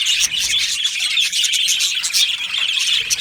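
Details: Colony of Australian budgie parrots in an aviary, many birds chirping at once in a bright, busy twitter of short high notes with no pauses.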